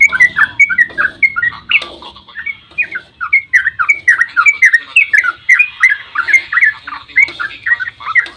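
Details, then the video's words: Sooty-headed bulbul giving a long dawn 'ropel' song, used as a lure to make other bulbuls answer; dense run of bubbly, slurred whistled notes, each rising or falling, chattering almost without pause for over eight seconds. "trucukan GACOR ROPEL SUBUH PANJANG buat pancingan trucuk agar cepat bunyi"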